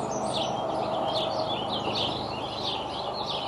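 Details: Bald eagle eaglets, 60 to 64 days old, on the Decorah nest in a harmless squabble on 30 May 2012. High, wavering chittering calls run in quick succession over a steady hiss of wind and outdoor noise.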